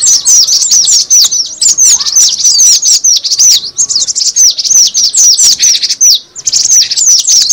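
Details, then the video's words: Cinereous tit calls used as a lure: rapid, overlapping high chirps and thin down-slurred notes pour out almost without break, dropping briefly quiet near the end before resuming. "suara pikat burung gelatik batu"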